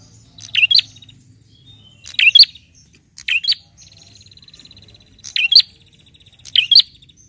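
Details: Vigorous calls of a bar-winged prinia to a rival form five separate bursts of sharp, high chirps about a second apart, each followed by a dry, even ticking trill.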